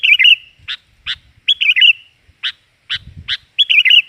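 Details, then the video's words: Lively sooty-headed bulbul lure sound: bubbly slurred warbles alternating with single sharp chirps at roughly half-second spacing, with low knocking noises in the background. "Suara pikat burung kutilang || kutilang gacor || kutilang ribut"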